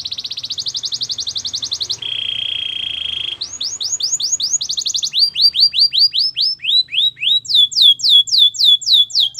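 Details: Belgian canary warming up to sing for females: a fast high trill, a lower steady roll, then series of sharp descending whistled notes growing louder, over a faint low hum.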